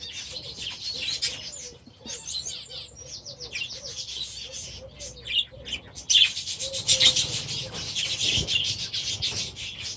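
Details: Several young budgerigars from last year, newly released into a new aviary at the start of the season, chattering in dense, scratchy warbles and rapid high chirps that swell louder halfway through.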